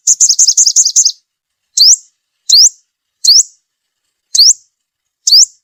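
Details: Sunbird lure call for trapping birds: a brief rapid trill of high notes, then single piercing upslurred chirps spaced about a second apart.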